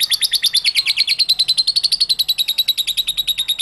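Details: Lovebird song meant to prompt lovebirds to sing: a fast, steady chattering trill of about ten shrill pulses per second, holding the same pitch throughout.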